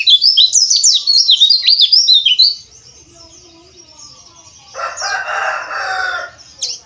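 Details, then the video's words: Oriental white-eye lure for harsh 'ngeriwik' chatter: fast, high-pitched twittering warble for about two and a half seconds, then near-silence, followed by a rough, buzzy burst and a final thin sweep. "PANCINGAN PLECI AGAR NGERIWIK KASAR"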